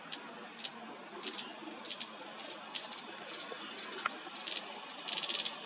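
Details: Chestnut-crowned bush warbler (Cettia major) in the Mishmi Hills, Arunachal Pradesh, India, in April: clusters of thin, very high ticking notes, irregularly spaced, some bursts louder and more rapid.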